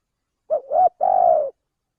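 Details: Spotted dove cooing, used as a lure to attract birds: a low three-part coo, two short notes followed by a longer, steady, slightly falling hoot, in a quiet setting.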